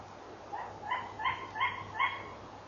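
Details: Tawny owl barking at 23:32 on 11 November 2013, picked up by a nest camera: four short, hoarse, yelping notes about half a second apart over a faint hiss.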